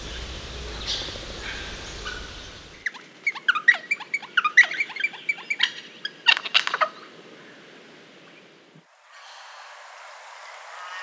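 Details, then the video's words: An Australian wattlebird gives a burst of harsh, clacking, downslurred notes for about four seconds, with steady background hiss before and after. "Wattlebird Call"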